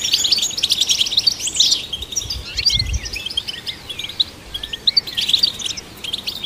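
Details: European goldfinch song played to stimulate goldfinches: fast twittering and tinkling phrases with rising and falling slurred notes, continuous chatter with brief gaps, faint low thumps in the background.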